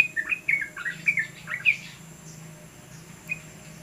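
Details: Yellow-vented bulbul singing very actively: a quick burst of sharp, tumbling, bubbly chirps for nearly two seconds, then near quiet broken by one last short note.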